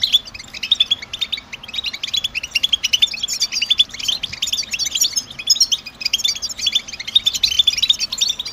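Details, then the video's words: European goldfinch motivating song, sung by males to attract females and mark nest sites: sustained high twittering with rapid trills and tinkling notes, growing denser toward the end. "اعطي الطاقة لطائرك الحسون باجمل البتبتات التحفيزية"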